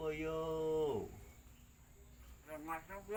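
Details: Hand-raised common hill myna, two years old, from East Kalimantan, practising mimicked talk: a long, voice-like harmonic syllable that slides downward, a pause, then a short burst of wavering, rich-toned speech sounds.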